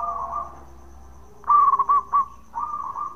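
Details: Local zebra dove uttering the bekur call to provoke other doves to answer. A soft purr leads into a loud, choppy burst of stuttered coos, then a gentler rolling phrase closes it.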